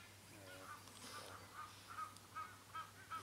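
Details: Red-capped robin-chat song: a series of short, clear notes near the same pitch, repeated roughly every 0.4 seconds and gaining strength toward the end, over a steady low hum and background noise.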